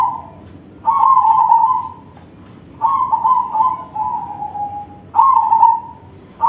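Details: Crossing-bred zebra dove in song: three loud, low warbling coo phrases, each trailing into a softer level note, separated by brief quiet gaps.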